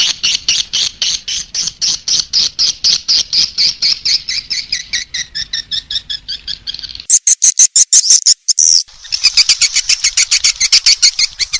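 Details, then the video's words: Calling sound to lure swiftlets: a long run of regular buzzy chirps about two per second, then a sudden switch to higher, faster rattling twitters. "SUARA PANGGIL BURUNG WALET"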